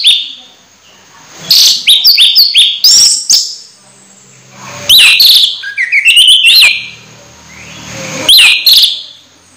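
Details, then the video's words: Orange-headed thrush about to moult but still in full song; three loud bursts of rich whistled and mimicking phrases, rising and falling slurs, separated by quiet gaps of about two seconds. "Anis merah hampir mabung masih gacor"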